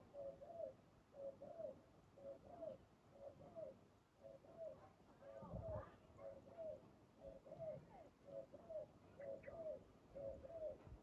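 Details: Spotted dove during trapping with a decoy, giving a long series of low, slurred coos about once a second, with people talking and some clattering in the background.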